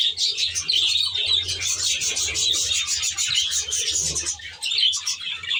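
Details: Budgerigar flock in an aviary made like a natural reserve: steady high-pitched warbling and chirping from many birds at once, with a faint deep humming pulse in the background.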